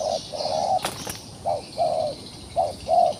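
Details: Wild pigeon struggling in a trap, uttering repeated short, low coos, with a sharp rattling clatter between the first notes, against a faint background of insects.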